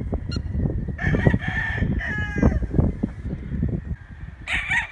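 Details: Chickens and roosters: two back-to-back rooster crows in the middle, harsh and ringing, then another crow bursting in at the end, over a deep continuous rumble.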